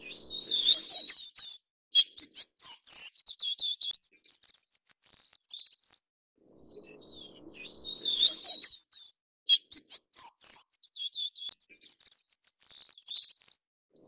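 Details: Two long outpourings from a Ferruginous flycatcher: high, squeaky chips that speed into a thin, buzzy trill lasting several seconds, with a quiet pause between the phrases.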